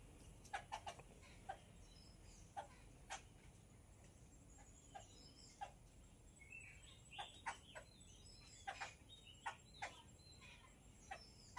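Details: Yellow-billed babbler giving short, harsh, scratchy notes in uneven bursts, often in quick pairs or clusters, over about twelve seconds against a steady low background hum.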